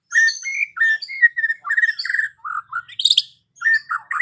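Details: White-rumped shama singing in the afternoon as provocation for a silent bird: rich fluted whistles and quick warbled notes in short phrases, one high rattled burst, then more low whistles.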